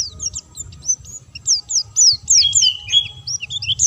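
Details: White-eye in energetic song, never given stimulants: fast high squeaky notes, rising and falling slurs packed closely together, run into a steady twittering stream.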